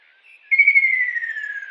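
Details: Single strong descending whistle from a kingfisher in the wild, starting bright and gliding lower for over a second after a faint, softer lead-in note.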